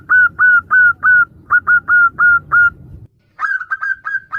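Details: Female local zebra dove calling to the male, answered by other doves, used as a lure for trapping: clear hollow whistled coos repeated about four times a second in a steady series, a short pause, then a brighter, more clipped burst.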